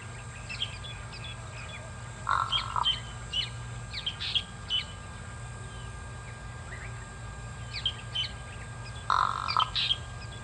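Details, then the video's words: Pied crow calling at Kwa Maritane on 14 October 2021: two harsh, hoarse bursts about half a second long, roughly seven seconds apart, over many brief high chirps from other birds and a steady low hum. "Pied Crow calls"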